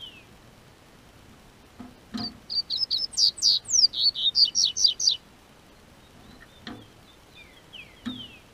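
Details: Captive double-collared seedeater kept by a registered breeder in southern Brazil, singing as the weather warms. A rapid run of about fifteen sharp, high, slurred notes over three seconds, with scattered soft clicks and knocks around it.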